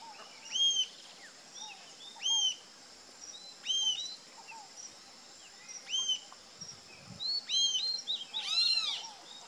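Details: Rufous-tailed jacamar calling: sharp, high, arched notes that rise then drop, given singly at uneven intervals, with softer chirps from other birds between and a brief higher jumble of notes near the end.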